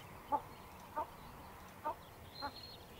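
Common pheasant giving four short, low clucking notes spaced unevenly over three seconds, with a faint high thin note from another bird near the end.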